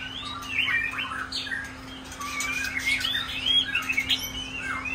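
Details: Kept shama birds singing on a rainy day: varied, fluid whistled phrases, some rising and some falling, tumbling one after another with brief pauses. A steady low electrical hum runs underneath, with scattered faint ticking.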